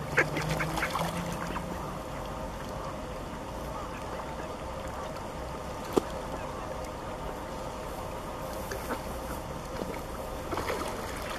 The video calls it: Кряквы. Звуки природы на озере / Wild ducks. Sounds of nature on the lake.